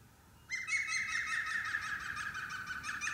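A European green woodpecker gives a loud, ringing laugh of about a dozen quick, even notes that fall slightly in pitch. The background is quiet.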